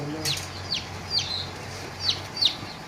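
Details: Freshly hatched quail chicks on a farm. About five thin, high peeps, each sliding quickly downward, come at irregular intervals of roughly half a second over a steady low hum.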